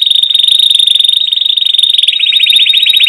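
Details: Canary in full song, a fast high rolling trill that, after about two seconds, switches to slower, distinct, sweeping notes repeated several times per second.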